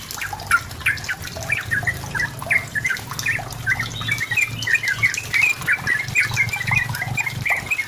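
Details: Lively Sooty-headed bulbul song meant to goad a rival into singing: short liquid chirps and gurgled notes, growing busier toward the end, with steady background hiss and a low rumble.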